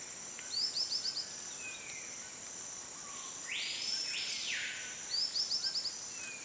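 White-lored tyrannulet giving a high, thin run of about six quick notes, twice, four seconds apart, over a steady insect drone and a brief whooshing noise.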